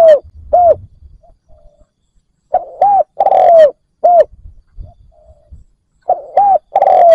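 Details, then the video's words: Spotted dove kept as a decoy to draw in wild doves. It gives repeated cooing phrases, each a quick hooked coo then a drawn-out gliding coo, roughly every one and a half seconds, with faint low rumbling between them. "Cu mồi gáy kích bổi cực nhạy dành cho bổi khó tính"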